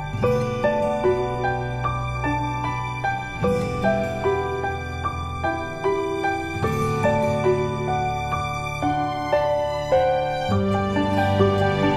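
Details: Gentle, sad instrumental music plays throughout with steady sustained notes, and no animal sound is heard.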